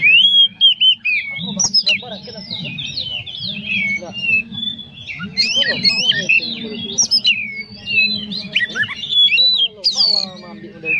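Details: Caged white-rumped shama, a contest bird, singing a full, dense varied song for use as a master tutor and to prompt other shamas to sing: rapid whistled phrases, sweeping up and down, with trills and sharp notes, over a steady low hum.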